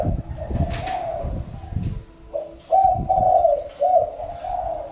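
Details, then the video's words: Spotted dove's soft, hollow coo phrases, repeated; low rumbling handling noise muddies the first two seconds before clearer, louder coos follow. "Chim cu gáy-Đam mê tiếng chim cu"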